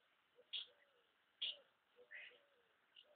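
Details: Numerous house martins at their nesting places, getting ready to leave: a few short, high chirps and twittering notes in uneven succession, with faint lower sounds beneath.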